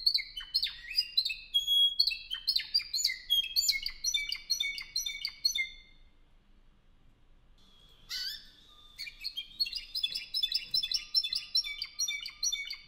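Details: Spanish Timbrado canary, a 2015 bird from Albacete, Spain, sings bright chattering phrases of quick metallic notes and short trills. The song breaks off in near silence for about two seconds, then resumes as a dense, fast run of ringing notes.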